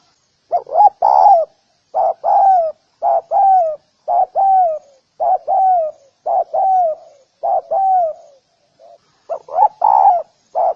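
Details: Spotted dove calling to draw in other doves, giving repeated phrases of two or three coos, each falling slightly, separated by brief pauses over about ten seconds.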